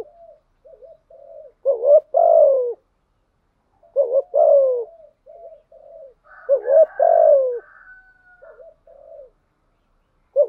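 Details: Spotted dove used as a decoy, with a 'giọng thổ' voice, giving repeated coos. Each coo has a short lead-in note and a falling main note, with soft murmuring between. A faint higher sound overlaps one phrase.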